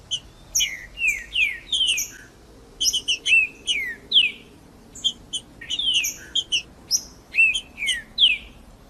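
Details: Green-winged saltator singing in the wild in the bush, used to warm up and stimulate captive birds: clear whistled slurs, some falling and some rising, mixed with high sharp chips, in bursts separated by short pauses.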